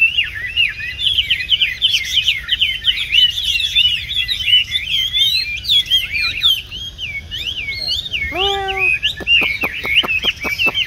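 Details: Caged tame Chinese hwamei of the 'tam hoàng' type, with yellow feet and bill, kept for café singing contests. Rapid tumbling warbles flow on, then a harsh down-slurred note sounds and a series of dry clicks closes the clip.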